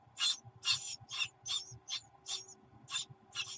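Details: Great tit nestlings in the nest, late June, beg with harsh, hissing bursts, about two per second, rasping and high-pitched, as the mother brings food; a faint low hum underneath. Great tit.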